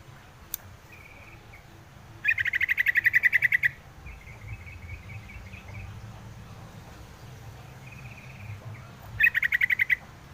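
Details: Yellow-vented bulbul giving two bursts of fast, evenly spaced chattering notes, the first about a second and a half long and the second shorter near the end, with faint softer twittering between them and a low rumble underneath.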